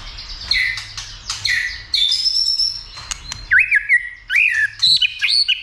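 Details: White-rumped shama roused to sing and fight: a varied run of loud whistles, chirps and squeaky slurred notes, some wavering up and down, in short bursts.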